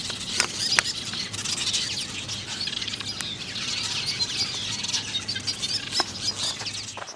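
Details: A summer breeding colony of lesser masked weavers in a fever tree fills the air with constant high, sizzling chatter from many birds, with scattered sharp ticks and a faint low hum.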